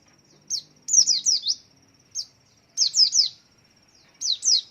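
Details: Caged white-eye swaying while singing, used as a lure to draw other white-eyes into calling: bright, high, downslurred chirps given singly or in quick runs of two to four, over a faint steady high tone.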